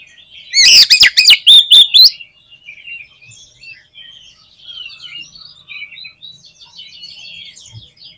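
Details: Oriental magpie-robin, a vigorous singer played to rouse caged birds: a loud two-second burst of sharp whistles, rapid up-and-down notes and harsh buzzy elements opens, then soft distant twittering continues.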